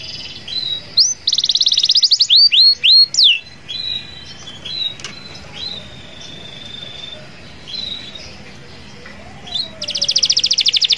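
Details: Canary in full song with a long roll meant to call rivals: a buzzy trill and a run of sharp downslurred notes, then softer drawn-out thin whistles, and a closing fast high trill.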